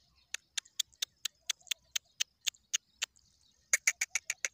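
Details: Black francolin chick about 2.5 months old gives a run of sharp, dry chips, quickening into a rapid burst at the end.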